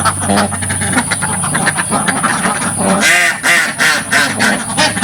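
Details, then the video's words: Dozens of ducks quacking loudly in a village farm pen; after three seconds a few clear, drawn-out nasal quacks stand out above the crowded background chatter. "LOUD Duck Sounds from the Front of the Pen"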